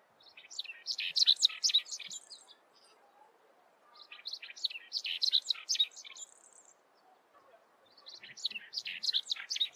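A Lark-like Bunting sings brisk, high twittering phrases about two seconds long, repeated roughly every four seconds over a faint background hiss.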